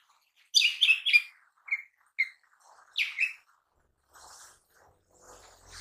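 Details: Lesser green leafbird chattering in gacor style, used to prompt other birds: a rapid cluster of sharp high chirps, then shorter lower notes and a second pair of chirps, fading into faint rustling.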